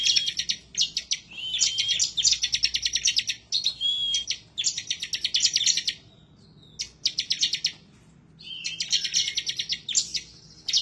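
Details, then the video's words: Excited 'semi' bar-winged prinia singing hard in search of a rival: long runs of fast, sharp, high-pitched repeated notes with a few thin whistles mixed in, broken by brief silences. Meant as tutor material to prompt birds to sing. "Ciblek Semi, Gacor nembak ngebren ngotot emosi"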